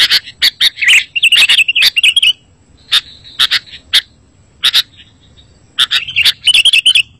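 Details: Sooty-headed bulbul lure song, used to draw in bulbuls and make a lazy caged bird answer: clusters of sharp, bright chirps and quick warbles, broken by short silent gaps.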